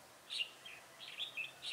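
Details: Red-whiskered bulbul decoy singing to draw wild birds into a trap, 7 January 2018; rapid string of bright, bubbling chirped notes delivered in quick succession.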